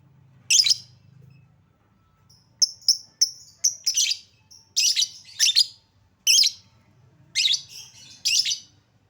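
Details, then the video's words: Lovebird lure recording for prompting lovebirds to sing: a busy stretch of sharp high chirps and harsh buzzy squeaks, some in quick pairs, repeated irregularly through the whole passage over a faint low rumble. "Lovebird Susah bunyi Pancing Dengan Suara pancingan Lovebird ini, Pasti bakal langsung Respon Cepat"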